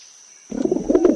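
A pigeon gives a short, low, throaty cooing murmur after a moment of silence, with a faint steady high whine in the background.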